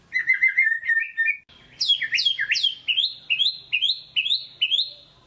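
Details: Captive white-rumped shama, a lure recording to stir a quiet bird into singing: rich whistled phrases, first a run of fast level notes, then loud swooping upslurred whistles repeated about every half second.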